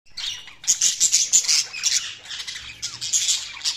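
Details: Budgies chirping: a dense, scratchy chatter of short high chirps and squeaks in quick bursts, loudest in the middle, with a brief rising whistle near the end.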